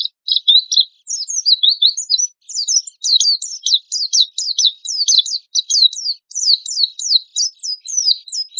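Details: Oriental white-eye in constant 'tembakan kasar' song, a lure and master recording; after a short opening warble comes a long, even run of quick, high down-slurred chips, several each second.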